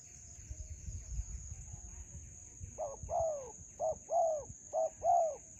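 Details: Spotted dove at a melaleuca grove during decoy trapping: low background noise at first, then soft paired coos, short then long and falling, in the second half, over a constant high insect buzz.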